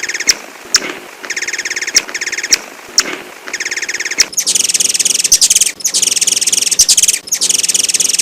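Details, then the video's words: A hummingbird gives short bursts of thin, high chirps, about one every second, then breaks into dense, rapid, buzzy chattering. "Kicau Burung Kolibri - Chirp of Bird"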